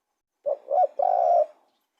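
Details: One clear spotted dove phrase: a short coo, a slightly higher second coo, then a long level coo lasting about half a second.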